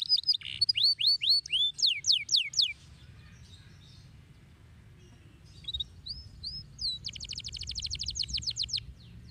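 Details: Canary singing: a run of rapid rising whistled sweeps, a quiet pause, then a few upslurred notes and a fast buzzy trill of repeated high notes, over a low background hum.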